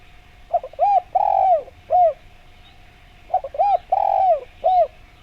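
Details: Spotted dove song used to lure other doves into answering. The same phrase sounds twice: a quick stutter, a rounded coo, a long coo sliding downward, and a short final coo, with about a second of quiet between phrases over a low hum.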